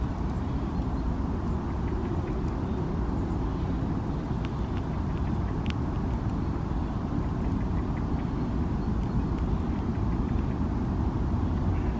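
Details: Steady low rumble of road traffic throughout, with no animal calls standing out.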